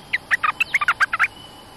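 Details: Cream-vented bulbul, territorial resident bird coming to a lure cage: a loud rapid series of about eleven short bubbly chattering notes over just over one second, each note rising and falling, with a steady faint high tone behind.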